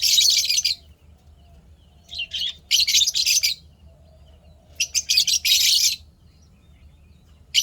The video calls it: lovebirds chirping sounds happy